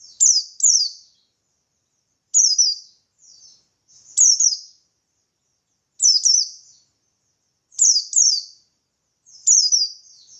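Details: Ngalas-style song by a buxtoni white-eye, intended to lure rival white-eyes into singing; six bursts of doubled, sharp, high descending whistles spaced roughly every one and a half to two seconds, with a brief softer note between.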